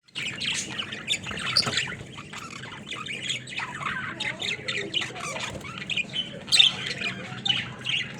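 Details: Caged budgerigars playing together in their cage, a busy flock giving continuous scratchy chatter with short squawks and warbled notes, louder sharp calls rising near the start and again toward the end, over a low background hum.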